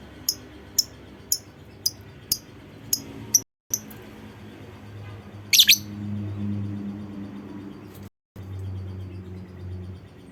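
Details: Lovebird lure call, played to prompt other lovebirds to sing along in long ngekek chatter: sharp, high, clicking chirps repeated about every half second, then a short harsh burst and a few isolated clicks over low indoor hum.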